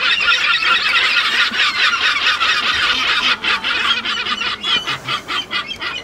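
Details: Kelp gulls in Chile in a loud, constant chorus of harsh, nasal cries that break into more distinct, rapidly repeated calls near the end.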